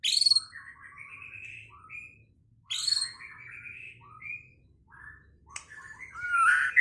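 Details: White-rumped shama singing to provoke a rival into fighting and song: sharp high notes opening short phrases of lower whistles, repeated twice, then a rising whistle, over a faint low hum.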